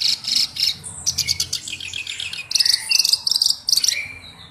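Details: Singing black-browed reed warbler kept as a tutor bird: repeated bursts of high, metallic, buzzy chatter, followed by short rasping notes and a brief whistle, with steady low hum in the background.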